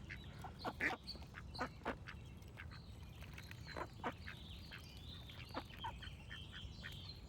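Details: Duck quacking: short, harsh, broadband quacks in irregular bursts, some closely paired, over a steady low rumble, with thin high chirps and whistles from other songbirds in the background.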